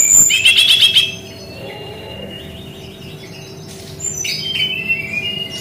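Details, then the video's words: Brown-chested jungle flycatcher in its unique shooting song style, starting with a quick burst of about five chattered notes, a quiet pause with faint whistles, then scratchy buzzy notes and thin whistles. "SUARA UNIK GAYA TEMBAKAN BERKICAU BURUNG SRDC"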